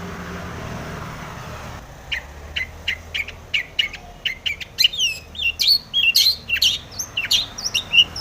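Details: Lively long-tailed shrike song played to make other shrikes sing: begins with crisp clicking ticks, then builds into varied quick whistles, slurred upward and downward notes and chattering phrases.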